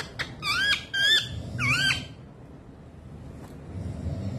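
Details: Pet parrot trying to woo its owner's foot, indoors: three loud, buzzy, wavering squawks rich in harmonics within two seconds, then quiet low room rumble.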